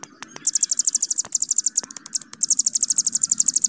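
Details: Hill prinia giving its long rapid trill, the 'bren' style kept as a master song for songbird training: bursts of very high, evenly spaced, metallic notes, broken by brief gaps and sharp clicks.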